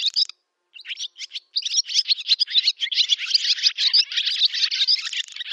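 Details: Summer song of a barn swallow, recorded 8 August 2013 in a village in Novgorod oblast, Russia: after a brief pause, a dense, rapid twittering chatter runs on without break.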